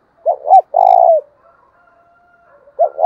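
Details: Decoy spotted dove calling to stir up rival doves: one full three-part coo of two quick hoots and a drawn-out throaty note, then a faint thin tone and the opening hoots of the next phrase.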